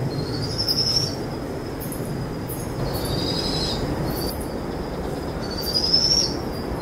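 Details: Powerful owl chicks, two of them, trilling while their mother feeds them a brushtail possum after dusk. Thin, high trilled bursts, each about half a second long, come three times over a steady, hissing background.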